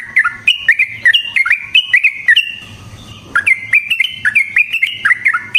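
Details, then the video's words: Sooty-headed bulbul's lively lure song for drawing in and trapping wild bulbuls: rapid chains of clear whistled notes that rise and fall, broken by a brief quiet gap before the chatter resumes. "Suara Burung Trucukan GACOR ROPEL Panjang Ampuh Untuk PANCINGAN TRUCUK Bahan dan PIKAT TRUCUK"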